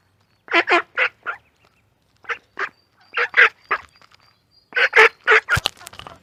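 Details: Ducks at a pond, ducklings mentioned, giving harsh broad quacks in short bursts of two or three, with pauses between groups and a faint thin whistle running in the background.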